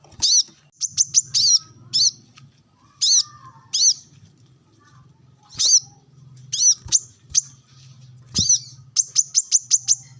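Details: Harsh wavering squeaky calls from a brown-throated sunbird (kolibri manggar) during sunbathing, calling rivals near wild birds, interspersed with fast strings of sharp high chips over a faint low hum.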